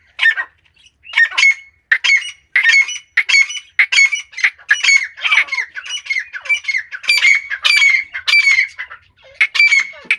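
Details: Female grey francolin (Iranian type) giving loud, harsh, ringing calls, about two every second, in a steady series over ten seconds; no other sounds stand out.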